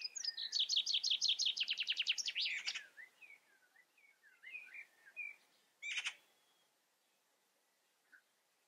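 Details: Common chaffinch singing: a bright high trill of rapid repeated notes, speeding up and falling slightly, ending in a flourish near three seconds, followed by softer scattered chirps and a sharp burst at six seconds.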